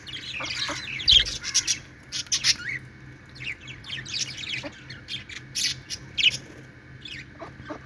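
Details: Happy budgerigars at play give a busy run of short, scratchy chirps and squeaky warbles, some sharper squawk-like notes mixed in, over a low constant background hum.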